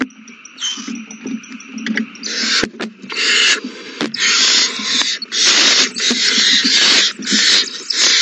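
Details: Owl chicks at feeding time, several young eating a big meal, recorded 27 March 2020; harsh broadband hissing screeches that start faint and irregular, then swell into longer rasping bursts separated by short gaps.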